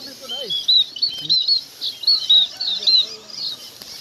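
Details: Munias calling the flock: a busy stream of thin, high chirps and short whistled notes, overlapping and irregular, several per second, with faint lower rustles beneath.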